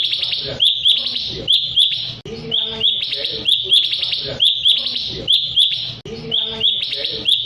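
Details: Sooty-headed bulbul song used to goad rival birds into singing: steady series of loud, bright chirp notes with buzzy trailing parts, repeated in regular bursts throughout, with faint lower murmur beneath.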